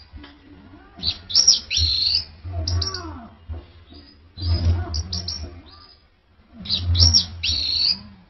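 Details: Orange-headed thrush singing: clusters of high, bright whistled notes and short sweeping phrases in three bursts separated by pauses, over a low background hum.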